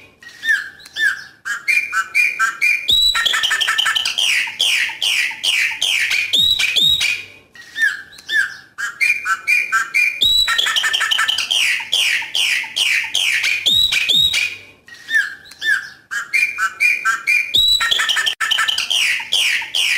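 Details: A chopi blackbird sings in the wild, giving loud, rich phrases of clear whistles and liquid, slurred notes, repeated every few seconds.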